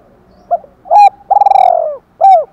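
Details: Spotted dove kept as a decoy, 'thổ pha' voice style, calling to provoke fighting. A faint opening note, a strong clipped coo, a long quavering rolled coo, then one final arched coo.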